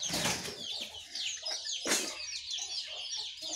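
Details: Several birds singing together in the morning, said to be Jongkangan, Terucukan and Pleci: busy, bright, high-pitched chattering and rapid chirps, with two sharp bursts of louder noise.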